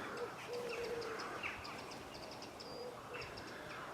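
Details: Low, soft wood pigeon cooing comes in drawn-out phrases in a churchyard in a Breckland village, beneath scattered high chirps and twitters from songbirds such as blackbirds, sparrows and a thrush.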